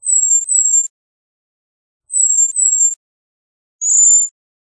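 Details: Very high, thin, slightly descending whistled notes from a cedar waxwing, given in two quick paired bursts about two seconds apart, then a single buzzier trilled note; no other sounds.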